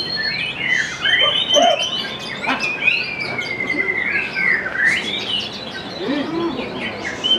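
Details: White-rumped shama singing at a songbird competition in Indonesia: loud, varied whistled phrases and a long, wavering high whistle that sweeps up and down, with overlapping songs of other birds around it.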